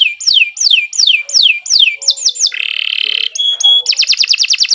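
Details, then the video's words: Canary song with repeated downslurred whistles, a quick doubled phrase, a sustained buzzy trill, clipped high whistles, and a final fast rattle. "Kicau Burung Kenari 153 II LUAR BIASA GACOR PANJANG"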